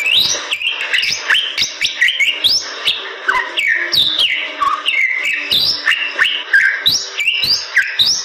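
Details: Bali myna delivering a continuous gacor song: loud upslurred and downslurred whistles, some warbled, interspersed with dry clicks and harsh bursts, almost without gaps.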